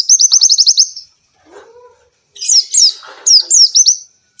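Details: Oriental white-eye song for provoking and training lazy birds to sing: a fast run of about eight high, even chirps, a pause with faint lower sounds, then looser down-slurred notes.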